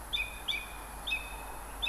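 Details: Song thrush at Montbéliard, France, late February to early March 2024, repeats the same clear phrase four times, a quick high note dropping to a held whistle, over a soft outdoor hiss.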